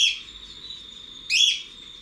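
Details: Cockatiel calling in an aviary, recorded from outside the enclosure: two loud, harsh, harmonic calls, one at the start and another about 1.3 seconds later, over a steady high insect-like whine.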